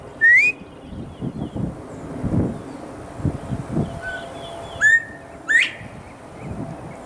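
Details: A male Northern bobwhite in Texas, calling loudly from a nearby tree in a whistling exchange with a person, probably a mating call, gives a short flat note and a sharply rising 'white', with low rumbling background noise between calls.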